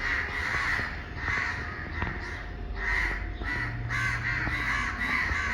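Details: Flock of crows gathered together after someone disturbed them, calling in protest: dense overlapping harsh caws from many birds, continuous and loud throughout, with low rumbling background noise.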